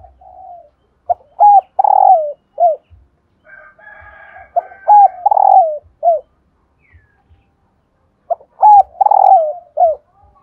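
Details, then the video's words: Spotted dove female call, played to prompt males to coo: a loud phrase of a short note, a hollow two-part coo, a long rolling coo sliding down and a short closing coo, repeated twice with softer buzzy notes between. "hãy mở ngay Tiếng cu mái này"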